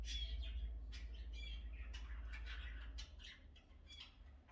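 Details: Pet cockatiel kept at home, described as its owner's personal hairdresser, gives a rapid stream of short harsh chirps and squawks, several per second, over a steady low hum that drops partway through.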